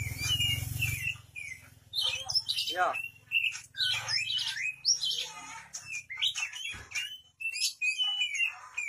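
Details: Oriental magpie-robin (kacer) in energetic 'gacor' full song, offered as a vocal teacher to make other birds answer: varied whistles, sweeping slurred notes and scratchy chatters in quick bursts, over a low hum in the first second.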